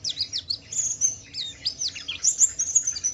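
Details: Short stretch of Pleci Wiklus Wiksar white-eye song used to stir other white-eyes into answering; very high, thin slurred whistles and chirps in quick succession.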